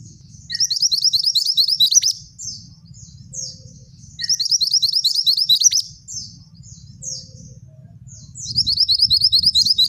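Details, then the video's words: Energetic male scarlet minivet, ngerol tembak song: three loud rolling trills of high notes, each near two seconds, with sharp down-slurred whistles between them and a quiet low background rumble. "Suara Burung Mantenan Jantan Gacor"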